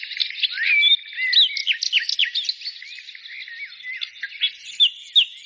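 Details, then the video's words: Several birds warbling together, their curved, slurred whistles and quick chirps running continuously at high pitch. "birds singing"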